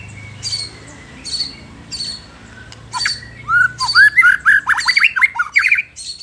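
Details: White-rumped shama song meant to provoke rival shamas: short squeaky notes at first, then from about three seconds a fast run of loud rising whistles and sharp chips.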